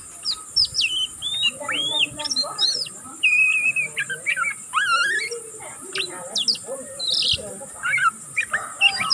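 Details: Young oriental magpie-robin learning its song gives an unbroken twitter of high slurred whistles and chirps, including a wavering rising phrase, with some lower mewing notes beneath.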